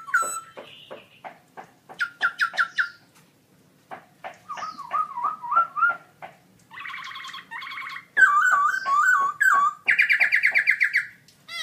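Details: A caged black-throated laughingthrush (Garrulax chinensis), a gold-winning birdsong contest singer, sings very loud, varied whistled phrases: quick repeated clear notes, rolling wavering runs and harsher buzzy bursts, in rapid bouts with short pauses.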